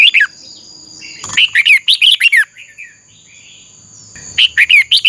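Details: Red-whiskered bulbul singing for song training. One brisk phrase of repeated bright whistled notes, softer twittering, then another quick burst near the end.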